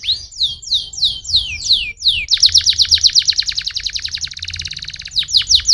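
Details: Canary singing a song meant to stimulate other canaries to sing: a string of descending whistled sweeps, then a fast, rhythmic buzzy trill of rapidly repeated notes lasting nearly three seconds, ending with more bright sweeps.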